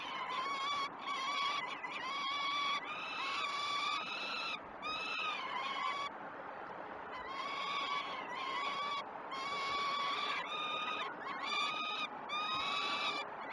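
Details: Great Spirit Bluff peregrine falcon chicks begging as food arrives, first feeds of 12 June 2018 on a live camera: rhythmic bouts of grating, wailing screams with many harmonics, several chicks calling over one another, separated by brief quiet gaps.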